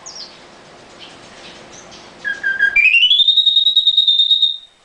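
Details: Singing in a cage, a nightingale starts with a low note, then swells into a long pure whistle held level and high, over faint background noise.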